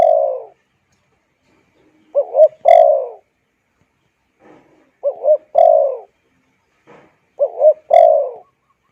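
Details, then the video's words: Spotted dove calling, a sound used to lure wild birds and train decoys. Low, hoarse coo phrases are repeated about every two and a half seconds. Each phrase has two short notes and then a longer falling croo, with faint clicks between phrases. "Tiếng Chim Cu Gáy dùng kích Bổi luyện Mồi hay"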